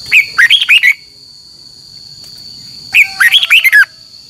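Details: Red-whiskered bulbul singing a competitive morning lure song for training birds; two bursts of five or six quick, liquid whistled notes about three seconds apart, a faint steady whine running underneath.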